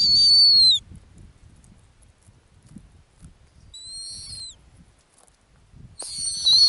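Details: Female snowy owl sitting on a ground nest in the Arctic gives three high, thin whistles with a downward slur, separated by quiet gaps of a few seconds.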